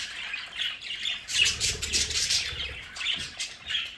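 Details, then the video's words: Pet budgerigars in their home play area give rough, squawky high chatter in close bursts, with a low rumbling noise in the middle of the stretch. "Sonidos de budgies para Budgies en casa"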